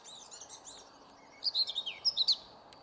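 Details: A Yellowhammer calls at Hauptmanca, Ljubljana Marsh, on 20 May 2023: a quick run of about seven sharp, high chirps in under a second, after fainter thin notes at the start.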